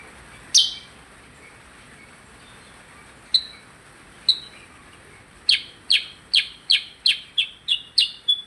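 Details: Percang bird in full song: a few scattered sharp chirps with long gaps, then a rapid, even train of down-slurred chirps ending in a thin whistle, over a light background hiss.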